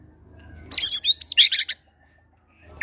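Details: White-rumped shama lure song with gelatik batu material, used to draw out quiet caged birds: one brief, loud, very high twittering burst of quick chirps lasting about a second, with a low hum beneath.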